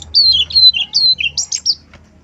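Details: Male brown-chested jungle flycatcher song used as a lure: a quick run of bright whistled notes alternating high and lower, ending in two sharp rising slurs.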